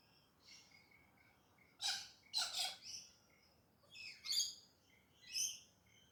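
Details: Pink parrots, galahs, at dawn in urban Perth, Australia, give loud broad rasping screeches in pairs and singles, separated by short tonal chirps from other small birds.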